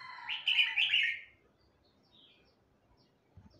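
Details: A young Hue-type red-whiskered bulbul just learning to sing gives a brief burst of bright, warbling phrases in the first second, then falls quiet against faint background hum.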